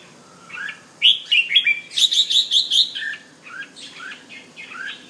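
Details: Caged male bulbul of the Penang type in display at home, giving a rising whistled note, then a loud burst of rapid repeated chirps followed by softer, falling slurred whistles.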